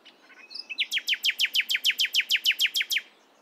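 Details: Common nightingale singing in the morning: a few soft, thin opening notes, then a fast run of about fourteen loud, ringing down-slurred notes.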